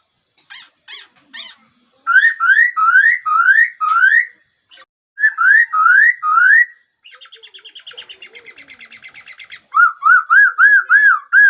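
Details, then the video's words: Varied laughingthrush song: short clipped notes, runs of loud rising whistles, a dry, buzzy rattling trill, then a string of quick bouncing whistled notes. "Tiếng chim khướu hót hay nhất"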